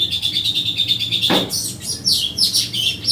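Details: Several streaked weavers (Ploceus manyar) chatter and sing at once in a dense run of high, dry, buzzy chirps and wheezy notes, with a short thump partway through.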